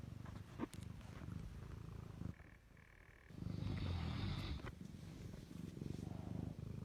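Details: A pet Fila Brasileiro snores through the night in bed beside its owner, in deep, rumbling low breaths with a brief whistly break in the middle.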